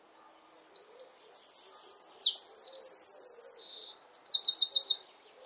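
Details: A Eurasian wren sings from a favourite perch in a garden near its hidden nest. It pours out a loud, rapid song of high notes and fast trills, about four and a half seconds long, with faint background hum.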